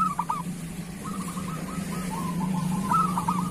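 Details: Local zebra dove, kerot-style song meant for tutoring other doves: soft, quick trilled coos in short series that waver slightly in pitch, accompanied by a constant low droning hum.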